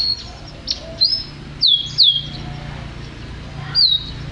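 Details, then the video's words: Canary, described as a champion singer, giving a few sharp, high downward-sweeping whistled notes spaced between quiet pauses over a low background hum. "Suara Kicauan Burung Kenari Juara"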